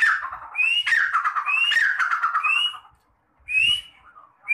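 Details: Partridge (teetar) from a keeper of red and black partridges, giving harsh calls: three quick rising squeaky notes each slide into a rough falling chatter, then a short pause and one more rising note.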